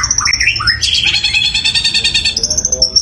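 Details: Long-tailed shrike, a singing bird kept for contests, delivering loud, powerful song mimicking sparrows: quick rising squeaky notes sliding into a dense buzzy chatter, ending in a run of thin high repeated chips over a faint low hum.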